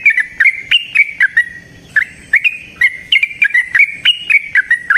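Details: Lure recording of a yellow-vented bulbul singing long and fast: quick bubbling notes that jump up and down, strung into nearly continuous phrases with one short gap.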